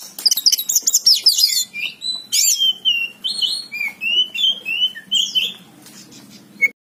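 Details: Oriental magpie-robin singing energetically: a scratchy, jumbled burst of high notes, then a series of clear, slurred whistled phrases repeated roughly every half second, varied in pitch, before a short pause and a final sharp chip.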